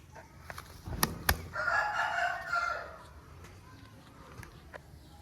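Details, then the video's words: An Aseel cock with a long tail gives one hoarse crow lasting roughly one and a half seconds, preceded by two sharp clicks or knocks and followed by quiet background hum. "Long Tail Aseel Bird Crowing"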